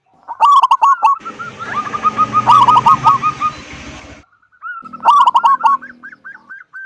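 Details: Local zebra dove singing in the big-voiced 'kung' style to entice other doves to sing: stuttering coos and a trill of quick notes partly masked by a broad hiss, then a clear loud burst and lilting notes.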